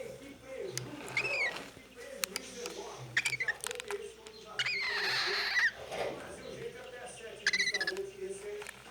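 A cockatiel gives short, bright whistled chirps, asking for head scratches, while a woman talks softly.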